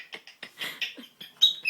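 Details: Male African grey parrot, about two and a half years old, chatters in about eight quick, raspy bursts and clicks, ending with a brief high whistle; no other clear sounds.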